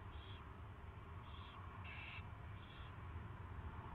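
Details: Owl during its first feeding, February 24, 2016, 2:15 PM: four quick harsh hissing calls in four seconds, the third louder and broader, above a persistent low hum.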